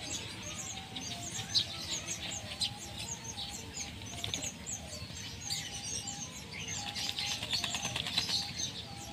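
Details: Adult breeding whistling ducks coming out to bathe give a steady stream of high, thin whistled calls, with wing flapping and splashing mixed in throughout.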